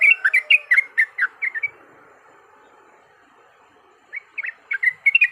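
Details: Yellow-vented bulbul fighting song played as a lure: a burst of fast, liquid chirps, then about two seconds of quiet, then the bubbly chatter resumes in a rapid run.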